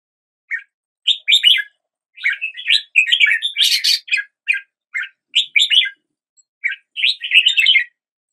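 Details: Morning song of a red-whiskered bulbul: a string of quick, slurred whistled notes, some buzzier and harsher, grouped into short phrases with brief pauses, against a quiet background.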